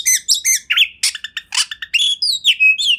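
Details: Training song of an Oriental magpie-robin. Chirpy double notes and rasping bursts give way to a smooth, falling and then level whistle at the close.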